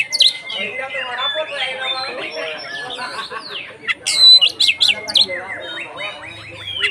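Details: Oriental magpie-robin in Indonesia singing loudly, used to provoke other magpie-robins into singing: varied whistled slurs, rising and falling notes and sharp chips, with people talking quietly in the background.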